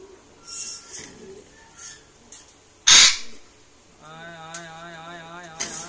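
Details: Grey parrot (Psittacus erithacus) gives a few soft chatters, then a sharp harsh squawk, then a wavering, speech-like harmonic warble, in what sounds like a quiet room.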